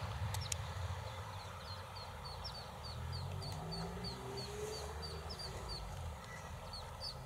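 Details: Mallard ducklings with their mother give thin, high peeps, three or four each second in a steady chatter, over a low rumble of wind or distant traffic.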